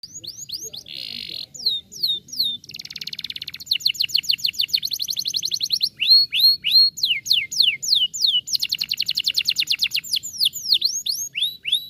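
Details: Canary song played to prompt other canaries to answer and sing along: fast rapid trills alternating with repeated clear rising and falling whistled notes, loud, continuous, with no other sounds.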